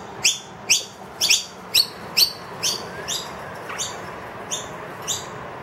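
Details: A wild noisy miner with two young, indoors and demanding food from an emptied feeder: quick, shrill rising chirps about two per second, loud at first and growing softer after the middle.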